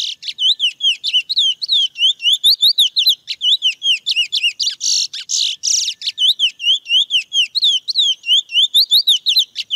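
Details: Long, fast mateiro song of a wild chestnut-bellied seed finch. Bouncing, hooked whistles repeat about four times per second, with a burst of buzzy, churring notes in the middle. No background noise is audible.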